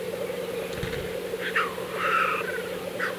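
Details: Black grouse lek in April 2024: a continuous low bubbling drone underneath, with a few brief soft hissing notes breaking through in the second half.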